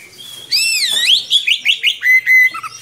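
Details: Short burst of long rolling song from an energetic Oriental magpie-robin, suited for training young birds: a loud swooping whistle, several rapid rising notes, then two level whistles.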